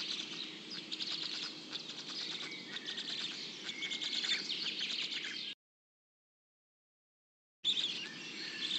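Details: Heron chicks in the nest, where a parent feeds them fish brought up from its throat, keep up a dense, high, rapid chattering of overlapping ticks and squeaks, about three per second, broken by a short silence.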